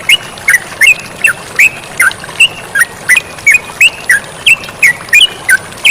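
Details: Sooty-headed bulbul in full chattering voice, recorded as a training track together with flowing water: short squeaky, bending notes repeated about three times a second in a steady, lively run over a faint constant hiss.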